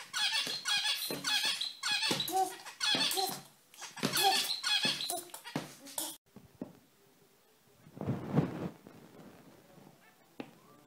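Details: Zebra finches, lively, brightly coloured pet birds said to squeak prettily; six seconds of dense, overlapping nasal squeaky calls in quick bursts, then mostly quiet with a short low rumble and a few faint peeps.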